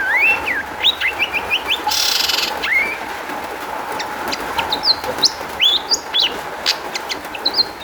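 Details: Long-tailed shrike song used as a lure to make other shrikes sing: a varied run of sharp rising whistles, high chirps and harsh buzzy notes in quick succession, with a steady low hum behind.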